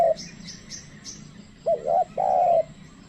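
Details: A trained decoy spotted dove coos to call in wild birds. One low phrase has a quick hooked note, a short bend and a long flat drawn-out coo. Small high chirps from other birds come first.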